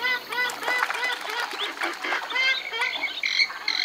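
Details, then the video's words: Western swamphen producing a jumble of harsh, nasal calls and short squawks. The notes are closely spaced and overlap, forming a busy, cackling sequence. "Western swamphen (Porphyrio porphyrio) Birds Best Call Sound"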